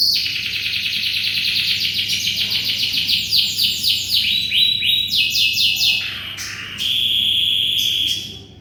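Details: Gacor canary, a local bird, in continuous loud song used as a master tutor for white-rumped shamas: rapid trilled rolls and buzzy repeated notes, sliding between pitches, ending in a sustained high trill.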